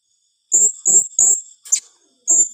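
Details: Blue-crowned hanging parrot in the 'tembakan rapat' close-shot style: a quick run of three piercing high squeaks, a short sharp click, then one more shrill squeak, over faint steady hiss.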